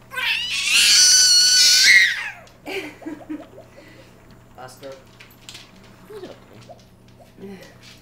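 A screech owl gives one loud, harsh, rasping screech lasting about two seconds. Quiet human voices follow.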